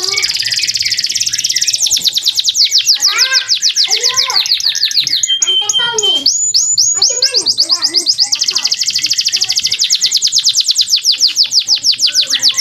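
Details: Male canary in full song as a tutor for young canaries. Long, dense, high trills repeat rapidly with brief steady whistles between them, over softer lower chirps in the background.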